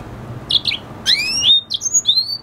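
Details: Caged red hooded siskin and canary hybrid singing a short phrase: a few chirps, then long clear whistles sliding downward and a final rising whistle.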